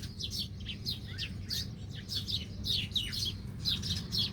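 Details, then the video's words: Birds feeding near tree roots give quick, sharp, high chirps, downward-slurred and repeated irregularly about twice a second, over a steady low hum. "Beautiful Bird Chirping Sound"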